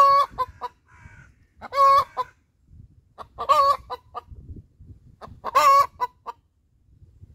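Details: Laying song of a hen: quick clucks leading into loud raspy cackling squawks, four bursts roughly every one and a half seconds, with brief quiet gaps between.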